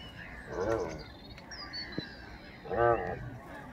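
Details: Geese of a family out walking in a park give two loud, harsh, harmonic honks about two seconds apart, with a sharp click between them and quiet outdoor background noise.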